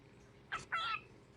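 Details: A male pet cockatiel, showing off his vocal repertoire to an unimpressed cat nearby, gives two quick, harsh chirping notes, the second longer and slightly wavering.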